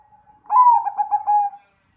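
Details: Single deep-voiced 'suara gede' coo of a zebra dove: a brief soft lead-in, then a rich, low phrase of rapid bubbling pulses lasting about a second before trailing off.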